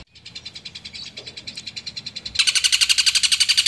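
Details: A long-tailed shrike calls to challenge a rival, used as a lure, giving a fast, harsh chattering call of about four notes a second, high and scratchy, growing much louder and fuller partway through.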